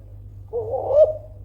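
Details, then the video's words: Kelantan-type spotted dove calling loudly to provoke rivals into answering: one short, slightly wavering low coo that swells and then fades, over a steady low hum. "DERKUKU KELANTAN GACOR SUARA KERAS MEMANCING EMOSI LAWAN PASTI NYAUT LANGSUNG"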